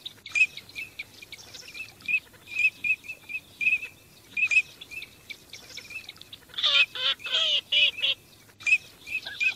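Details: Teal calling during migration: a flock repeating short, clear whistled notes on an even pitch, with bursts of harsher, louder nasal calls near the end and a few quick flight sounds.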